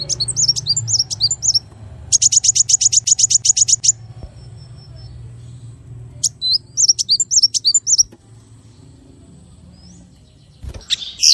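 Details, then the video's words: Varied small bird song in 'tembakan' style: twisting high chirps, then a very fast, even burst of about fifteen sharp repeated notes, a pause, another run of slurred whistles, and a last brief burst. "MASTERAN BURUNG KECIL FULL TEMBAKAN VARIASI MEWAH"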